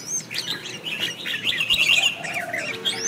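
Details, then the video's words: Red-whiskered bulbul singing while dancing with spread wings, contest-style song used as a decoy to stimulate and train other bulbuls; bright, warbled, chirpy phrases run almost continuously, rising and falling, with a high rising whistle near the end. "Chào mào hót múa đỉnh - Hay nhất - Chào Mào hót múa hay chơi cánh xòe kích trống | chào mào múa"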